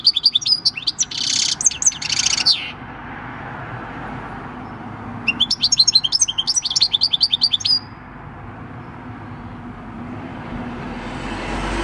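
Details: A six-year-old European goldfinch of field stock sings its wild-type song, recorded 26 December 2019: two bursts of rapid, tinkling twitters and liquid trills, each two to three seconds long, separated by a pause, over a faint hum.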